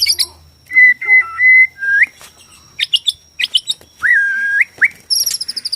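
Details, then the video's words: Borneo white-rumped shama song used to provoke shamas into singing and fighting: long clear level whistles with stepped changes, sharp chips, a sustained lower whistle, and a fast trilling close. "KICAU BORNEO AMPUH BIKIN MURAI STRES SUSAH BUNYI AUTO FIGHTER NYAUT"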